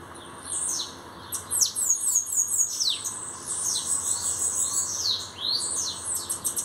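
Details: Song of a newly arrived bananaquit kept for singing: rapid, very high, hissing phrases built from steeply falling whistled sweeps and fine trills, delivered in near-continuous bursts with brief pauses, over a steady faint hum.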